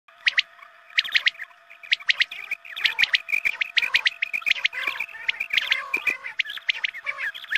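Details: Quail calls played at dawn prayer time to lure quail for hunting: rapid bright chirps in clustered bursts of two to three notes, many overlapping callers, with a steady low electronic hum underneath.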